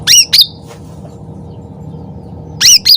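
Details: Brief loud sooty-headed bulbul lure song: a pair of sharp, squeaky bent notes, a pause of two seconds, then another matching pair, with faint low hum beneath.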